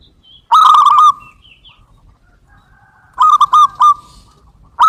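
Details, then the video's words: Zebra dove of the local type giving its luring coo: a long trilled phrase, then a pulsed stuttering run, with a third phrase beginning as the sound ends. "pancingan suara buat burung perkutut lokal versi baru"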